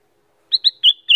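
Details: Female Black-crested bulbul giving short calls: two quick high whistled notes followed by two longer, slightly descending slurred whistles within under a second.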